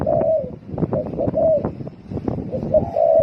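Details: Spotted dove in the thổ singing style calling rapidly: short hooting coos in a quick run, partly masked by loud knocking and rustling noises, with a longer drawn-out coo at the end.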